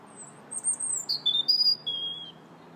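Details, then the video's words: A robin's January song of high, thin whistled phrases, sliding and wavering notes dropping in pitch, delivered clearly over a quiet hum. "Still the Robins Sing January 21st"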